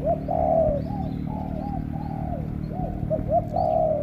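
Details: Spotted dove from Cà Mau cooing in the morning in the deep 'thổ cọp' style, likened to a pigeon: a run of short, hollow, low coos, some slurred up and down, over a steady low hum.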